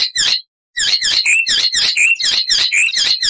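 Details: Icterine warbler song, loud and richly varied with mimicry: a fast run of short buzzy, chattering notes mostly high in pitch, with a brief pause near the start, then repeated squeaky phrases.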